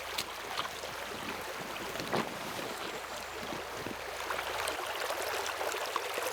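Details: Broadband rushing noise like wind or water fills the recording, with scattered clicks and knocks and no animal voices.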